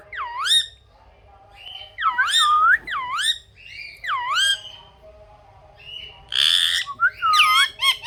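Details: Rose-ringed parakeet talking in a string of repeated swooping, voice-like syllables, each dipping then rising, grouped in short phrases with a harsher rasping note near the end.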